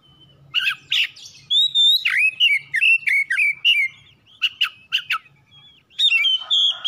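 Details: Oriental magpie-robin, the kacer, a home bird whose song is used to coax singing: harsh sharp notes, a sustained whistle, then a quick run of wavering whistles, more clicks, and a final scratchy phrase.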